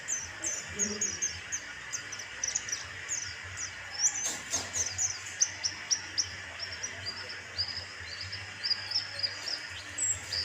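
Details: White-eye lure recording used to prompt singing: a steady stream of thin, high chirps and short twittering notes, rapidly repeated across the whole stretch, with a soft background hiss and one brief broadband knock midway.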